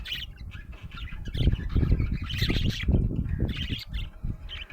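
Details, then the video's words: Budgerigar described as happy, giving fast, jumbled chirps and twittering notes in dense irregular bursts, partly masked by loud low-pitched rumbling throughout. "Happy budgie chirping sound"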